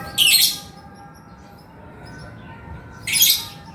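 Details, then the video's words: Male lovebird, a lively singer kept to stir quiet birds into calling. Two loud, harsh, buzzy squawks about three seconds apart, with a soft tonal hum in between. "SUARA BURUNG LOVEBIRD GACOR JANTAN"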